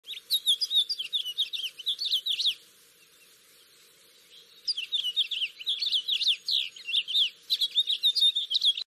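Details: House finch (Haemorhous mexicanus) singing two long, high, jumbled warbles of quick twittering notes, split by a pause of about two seconds.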